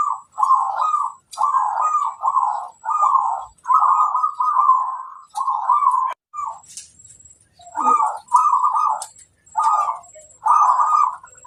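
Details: Prolific local zebra dove singing as a lure for other doves: a long steady series of burry, trilled coo phrases, briefly broken by a sharp click, then resuming.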